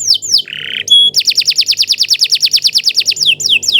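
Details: Canary singing a long song: a brief buzzy note and pure whistle, then a fast run of repeated downward-sweeping whistled notes, about twenty in a row, ending with slower falling slurs.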